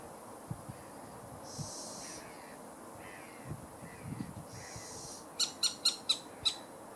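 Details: A fledgling little owl gives two drawn-out, high, hissing wheezes, then a quick run of five sharp, clicky notes, over a low background rumble.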